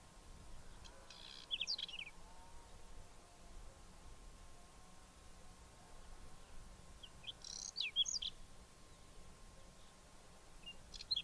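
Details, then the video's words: Whinchat song recorded on 29 April 2023 near Obninsk: two short bursts of high, scratchy, twittering notes several seconds apart, separated by quiet background hum. "Пение лугового чекана"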